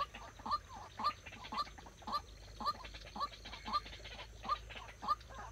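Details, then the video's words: White-breasted waterhen kept as a trapping decoy: a regular series of short, harsh, rising notes, about two each second, separated by quieter clucking. "Dợt chim cuốc mồi"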